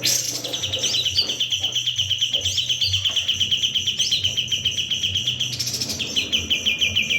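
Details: White-eye (kapas tembak) singing nonstop, used as a tutor recording for training other songbirds: fast, steady series of sharp high chirps, roughly three per second, with brief higher twittering notes and a low background hum.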